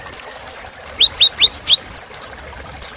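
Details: Kolibri Ninja sunbird song used as filler material for training cage birds: short, very high chirps and rising whistled notes in quick, uneven pairs over a steady faint hiss.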